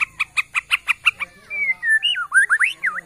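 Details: Bornean white-rumped shama, forest-origin bird from Kalimantan, giving eight quick evenly spaced notes, then a flowing sequence of looping, rising and falling whistles.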